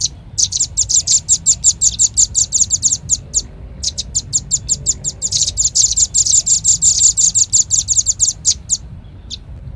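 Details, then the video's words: Lure call of a red-billed nuthatch, played to draw in birds: long bursts of fast, thin, high chipping notes separated by short pauses, then a few scattered single chips at the end over faint low hum. "Suara pikat burung rambatan"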